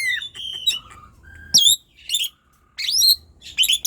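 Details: Asian pied starling with a persistent song meant to provoke slow, quiet birds: varied mix of falling whistles, flat piping tones and scratchy chirps, delivered in uneven bursts.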